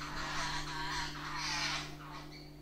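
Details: At a kitchen window in a Sindhudurg village, Maharashtra, India, visiting jungle babblers give continuous grating, squealing chatter that fades toward the end, with a constant low hum in the background.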